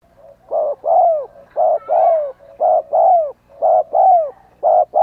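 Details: Decoy spotted dove used to lure wild doves, giving a driving coo and calling song: loud, hollow coos in short-long pairs, the longer note sliding downward, repeated about once a second.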